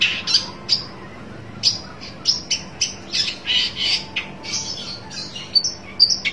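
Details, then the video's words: Long-tailed shrike calling as if seeking a rival: harsh, raspy squawks in irregular bursts, some with sharp high clicks, spaced roughly every half second to second over a faint steady hum. "burung pentet cari lawan"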